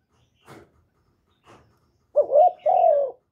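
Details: Spotted dove, a captive lure bird, cooing to draw in wild doves: two faint soft clicks, then a loud low cooing phrase with a short note followed by a long sustained coo.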